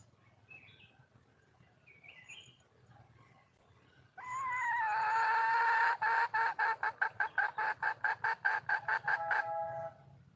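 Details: Hen red junglefowl in the wild, calling to attract a male. Faint chirps come first, then a loud, sustained, harmonic note of about two seconds breaks into a rapid run of some seventeen short, evenly spaced pulses.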